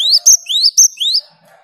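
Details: Three quick rising whistled phrases from a great tit answering another great tit's song, each pairing an upward slur with a piercing high note.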